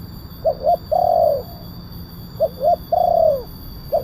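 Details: Lure recording of a loud-voiced spotted dove in kuk 1 style for attracting wild doves: paired short coos then one drawn-out coo sliding down at its end, the phrase recurring about every two seconds above a constant background rumble and faint high tone.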